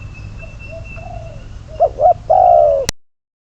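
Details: Spotted dove used as a trapping decoy, with soft low coos at first, then a clear wavering double note and a long, gently falling coo before the sound cuts off abruptly.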